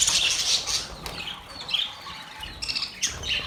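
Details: Budgerigars giving mating sounds, bursts of high squeaky chirps and raspy tweets separated by quieter gaps, fairly rapid and irregular.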